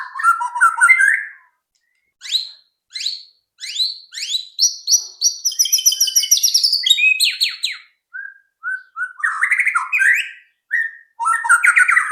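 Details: White-rumped shama song played to coax shamas into singing fast: a long varied run of whistles, high rapid trills, sweeping slurs and chipped notes, nearly continuous with brief gaps.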